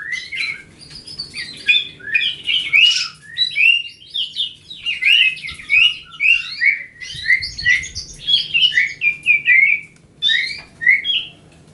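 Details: Grey-cheeked bulbul giving its riwikan song: a rapid run of bright, varied whistled and chattering notes, repeated phrases with short pauses, steady through the whole recording.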